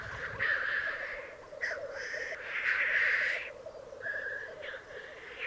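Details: Male black grouse at a lek in the Italian Piedmont Alps, 2022. Continuous low bubbling cooing lies under several long harsh hissing blasts, the loudest around the middle of the clip.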